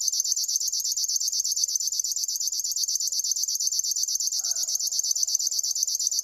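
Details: River warbler delivering a dry, high-pitched mechanical buzz of rapid pulses, about eleven per second, steady and unbroken throughout, with a brief faint lower note in the background.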